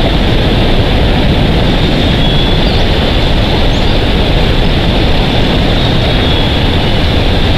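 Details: Loud, constant rumbling noise like wind or a passing vehicle dominates throughout, and no animal voice stands out.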